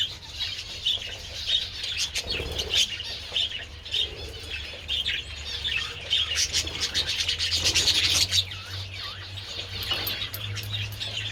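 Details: Budgies basking in the sun with treats on 27 February; continuous high warbled chatter from several birds with scattered clicks and rising squeaks, busiest near the middle.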